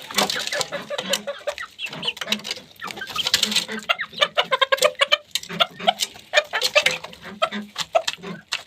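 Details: Feeding chickens give short repeated low clucks, several per second in bursts, over constant fast pecking and tapping clicks.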